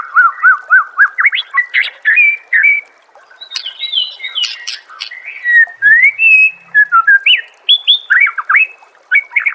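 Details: White-rumped shama (murai batu) training song: a rapid series of loud looping whistles repeated several times, then varied fluty slurs and buzzy trills, rising and falling through a long, energetic phrase.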